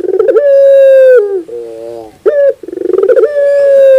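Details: Collared dove song: a stuttering roll into a long level coo, a lower wavering note, a short sharp accent, then another fast pulsed roll rising into a sustained hollow coo.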